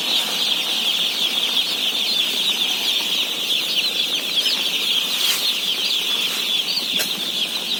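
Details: A mass of day-old chicks, some 17,000 birds, peeping while being fed: an unbroken shrill chirping chorus, with a couple of brief sharp clicks or knocks late on.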